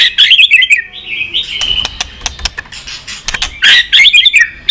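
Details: White-rumped shama singing many-voiced song used to stimulate and train birds: bursts of bright, rapidly warbled high whistles open and close the clip, with a long thin whistle and sharp dry clicks between them.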